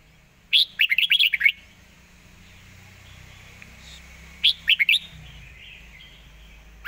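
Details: Red-whiskered bulbul singing a rapid 'fast-beak' style song: a quick burst of bright warbled, slurred notes, then a long quiet pause and a second shorter, rushed phrase near the end.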